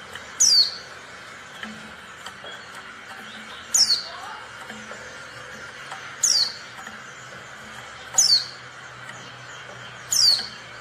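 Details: Female Oriental white-eye call, played to provoke silent or lazy males into singing: five thin, high, downslurred notes about every two seconds over a steady low background hiss.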